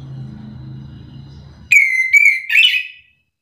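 After a low steady hum, an orange-headed thrush bursts into a loud, clear whistled phrase of three quick notes that slide up and down over about a second.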